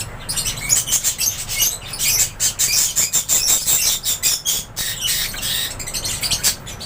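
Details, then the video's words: A flock of lovebirds chattering in an aviary, with sharp high-pitched chirps and squawks overlapping in quick, irregular bursts. A steady low background hum runs underneath. "LOVEBIRDS CHIRPING SOUNDS"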